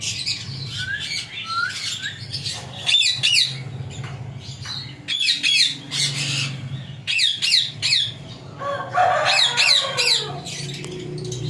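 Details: Talking parrot chatters in rapid bursts of shrill, harsh squawks grouped in clusters every second or two, with a rougher lower call near the end.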